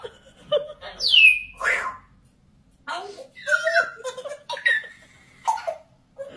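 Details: A pet grey parrot (African grey) about 3 years old, reportedly insulting its owner after being told no, chatters in short word-like bursts with a rising whistle, giving imitated speech in quick phrases separated by brief pauses.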